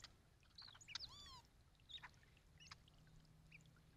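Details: Three male hooded orioles bathing at a birdbath sing a jumbled run of whistled, chattering and slurred notes in quick bursts, with soft splashing water and a low hum.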